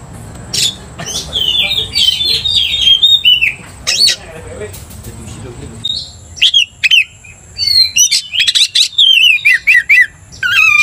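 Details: Oriental magpie-robin, a caged bird provoked to aggression by another magpie-robin's song, sings varied whistled and buzzy phrases mixed with sharp chips and rapid trills, with pauses between bursts.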